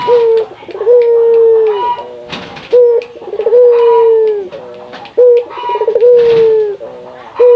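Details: Frequently calling local Indonesian Barbary dove whose coos are used to stimulate other doves. Regular low phrases about every two and a half seconds mix a short onset, a quavering roll and a sustained hum, with occasional clicks.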